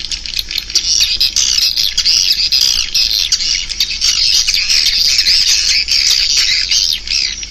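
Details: A loud, steady chorus of swiftlets: high, squeaky twitters and wavering chirps running without pause for the whole stretch.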